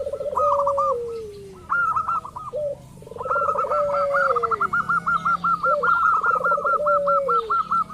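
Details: Lure calls of a local zebra dove, meant to provoke rival doves into calling. Quick bursts of clipped, bubbling coo notes alternate with lower descending slurred notes, building into a long, steady run of rapid repeated notes near the end.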